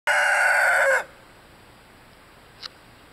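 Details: A 19-week-old Light Brahma rooster crowing gives one loud, rich, harmonic, steady-pitched crow lasting about a second. It stops abruptly, then there is quiet with one faint click.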